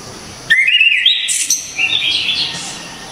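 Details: Single loud phrase from a Javan orange-headed thrush, clear and sharp: a whistle sweeping upward, then a bright buzzy high burst and wavering whistled notes trailing off, lasting about two seconds.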